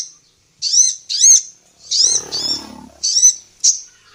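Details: Female sunbird, local name kolibri ninja, used as a tutor for songbirds: loud, high, down-slurred squeaky notes in quick pairs, with a brief low rumbling noise underneath midway.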